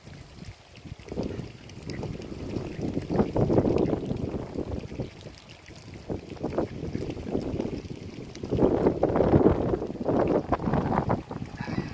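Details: Wind buffeting the microphone and the rumble of a boat or water movement fill the recording, with no animal calls.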